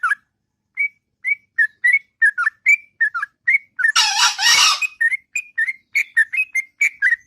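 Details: Morning song of a sooty-headed bulbul, bubbly whistled notes in pairs, interrupted midway by a loud burst of harsh noise lasting about a second.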